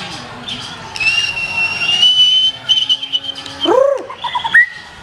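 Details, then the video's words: Black-tailed white-rumped shama singing with a strong, prominent delivery: a long, steady high whistle held for over a second, then a few bent, arching notes and a final short rising whistle over faint background hiss. "SUARA BURUNG : Murai Batu Ekor Hitam, Tonjolan Mantap."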